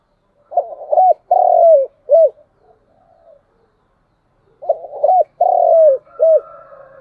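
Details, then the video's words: Spotted dove cooing as a morning lure to call wild doves near a house. Two matching phrases about four seconds apart. Each has short coos, a long drawn-out falling coo and a brief closing note. "Cu gáy mồi gáy gọi buổi sáng"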